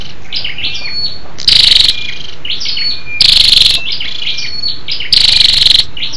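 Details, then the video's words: Calling female scarlet-backed flowerpecker, used as a lure to stimulate males: three loud, chattering, pulsed bursts about two seconds apart, with faint high twitters and short whistles between them. "SÂU ĐẦU ĐỎ MÁI RO KÍCH TRỐNG- Giọng MỒI HAY"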